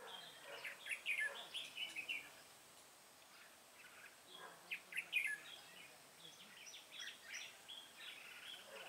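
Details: Red-whiskered bulbul recorded while being trapped: two groups of quick, chattering warbled notes, the first early and the second mid-way, separated by a pause, with softer phrases trailing off afterward.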